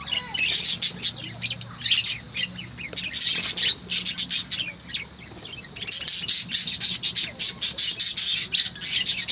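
Budgerigars chatter in quick bursts of scratchy, high chirps and squawks.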